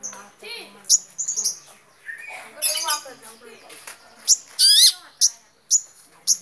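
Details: Long-tailed shrike delivering a varied song: soft scratchy twitters and a short whistled phrase, then loud harsh grating bursts and sharp chirps repeated irregularly toward the end.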